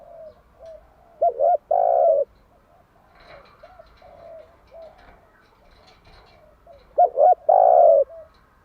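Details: Female spotted dove used as a lure to stir male doves into cooing, morning song in a set pattern; soft low hollow coos throughout, with two loud emphatic coo phrases about six seconds apart.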